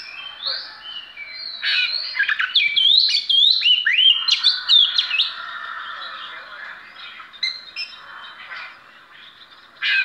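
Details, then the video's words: Singing display by an Oriental magpie-robin: a burst of rich, looping whistles and chatters in the middle, then softer scattered notes and a final loud note. "Chim than trị giá 1tỷ đồng hót biểu diễn"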